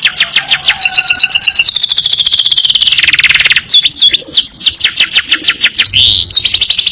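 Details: Canary singing long rapid-fire phrases in a training recording: a dense buzzy trill that slowly slides lower, then a burst of sharp descending whistled notes and a brief rasp.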